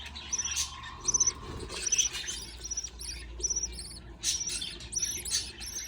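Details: Budgerigar chicks beg while a parent feeds them. Thin, scratchy, high-pitched notes come in clustered bursts about once a second, over a faint low hum.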